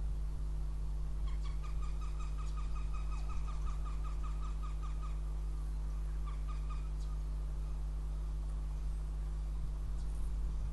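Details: Northern goshawk (Accipiter gentilis) in Riga on 9 April 2017 gives a fast run of about a dozen harsh, even kek notes over two seconds, then a short burst again, over a steady low rumbling hum.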